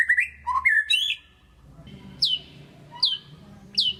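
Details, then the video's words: White-rumped shama lure song for coaxing quiet shamas: a short tumbling whistled phrase, a pause, then three sharp high down-sweeping notes spaced under a second apart. "PANCINGAN MURAI BATU GACOR DOR"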